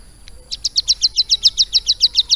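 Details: Captive hill prinia, schooled about three months on lovebird song, launches a quick run of sharp, high, clipped chirps, evenly repeated, after one faint lone note.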